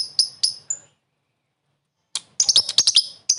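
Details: Lovebird calling to lure a rival, short ngekek laughing call: a few sharp high chirps, a long silence, then a quick burst of shrill stuttering chirps.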